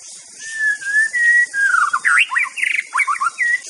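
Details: A White-rumped shama of the Aceh type sings a master song for birds to learn: clear, fluting whistles, long held notes sliding around one pitch, then quick rising and falling phrases, over a steady high hiss.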